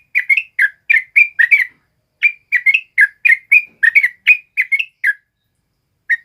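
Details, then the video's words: Yellow-vented bulbul (trucuk kebo) singing: two rapid bursts of bubbly, warbled whistles separated by a short gap, ending with a single isolated note. "SUARA BURUNG TRUCUK KEBO GACOR NGALAS"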